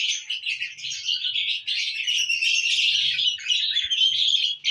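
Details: Lovebirds in a happy mood, recorded June 1, 2022, chattering without a break in a rapid, high, scratchy stream of overlapping chirps, with faint low thumps underneath.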